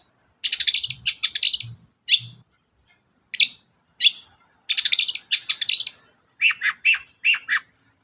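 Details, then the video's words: Long-tailed shrike song meant to provoke other birds into singing: fast buzzy chattering phrases and single harsh notes, then a run of lower, repeated downslurred whistles near the end. "BURUNG CENDET GACOR || suara pancingan burung cendet"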